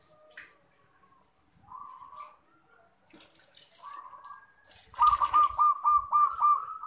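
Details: Zebra dove song used for luring birds: a rapid series of short staccato trilled coos around mid pitch in the final two seconds, after softer coos, with water-like background noise.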